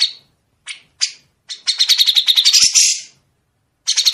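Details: Grey-cheeked bulbul training recording for songbirds to copy, with long sharp 'besetan' phrases: a few separate chirps, then a fast run of bright high repeated notes for about a second and a half, then a short burst at the end.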